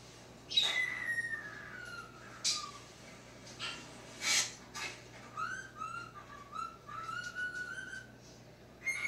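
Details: Indoor talking cockatiel reacting to seeing itself on a screen, giving a long falling whistle, then a run of wavering, rising and falling whistled notes, with faint low hum throughout.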